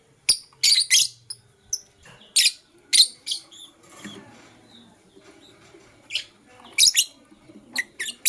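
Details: Blue opaline lovebird chirping in the morning, with scattered sharp high squeaks and short twittering bursts separated by quiet gaps, some in quick doublets, over faint low room background.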